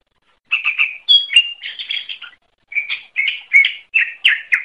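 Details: Greater green leafbird (cucak ijo) in full, lively song for songbird training: quick chattering phrases mixed with sharp whistled notes and slurred chirps, broken by one short pause. No other sounds.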